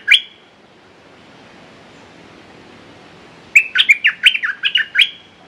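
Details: Red-whiskered bulbul calling as a decoy to draw a territorial wild bird; one short whistled note opens, then after a long pause comes a lively phrase of about eight sharp, bright, fluctuating whistles.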